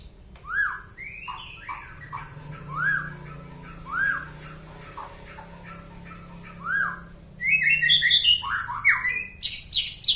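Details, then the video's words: White-rumped shama from Penaron, East Aceh, giving an unusual song: spaced, rising whistled notes at first, then a dense burst of sharp, high chattering phrases toward the end. "burung Murai Batu Suara Aneh Asal Penaron Aceh Timur."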